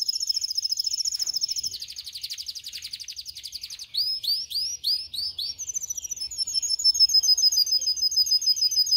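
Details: Canary song used to teach canaries: fast high rolls, a run of separate rising swept notes around the middle, then a clipped whistle and quick pulsed trills that close the phrase.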